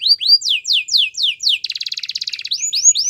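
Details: Canary song for training: slurred descending whistles repeated quickly, breaking into a rapid buzzy rattle, then a few rising whistles.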